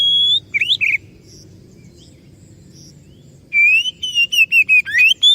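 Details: Oriental magpie-robin song used as a lure to make other birds answer: two bursts of loud, clear whistled notes, sliding and warbling phrases with a rising final note, separated by a three-second pause over a soft low hum.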